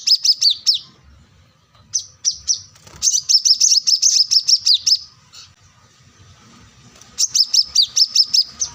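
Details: Plain-throated sunbird, known as kolibri kelapa or manggar, singing energetically in search of an opponent. Bursts of fast, high chirping notes alternate with brief pauses, each burst several seconds long.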